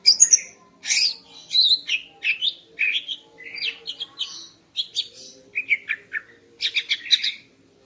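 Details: Greater green leafbird female song at morning, meant to arouse the male: a continuous varied medley of sharp chirps, short slurred whistles and chattering bursts, ending with a quick harmonic trill.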